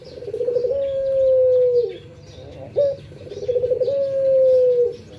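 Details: Pet Barbary dove in the morning giving two long purring coos. Each begins with a trilled, rolling start, then holds a smooth even tone and eases down at the close, with a short clipped note between them. Light chirps of small birds are in the background.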